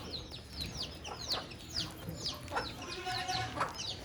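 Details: In a cage with a rabbit, budgerigars chatter with quick falling chirps about two a second, mixed with softer twittering and a short steady whistle near the end.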